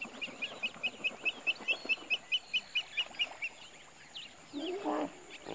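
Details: Pied Kingfisher recorded in Kruger Park: a rapid, evenly spaced series of about fourteen sharp, high squeaks over three and a half seconds, then a lower rough murmur near the end.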